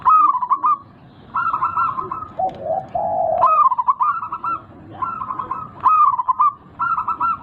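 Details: Local zebra dove with a big voice, used as a lure to prompt a caged bird that has stopped singing; bursts of quick, stuttering coos repeat every second or two, broken once by a lower, rolling coo phrase near the middle.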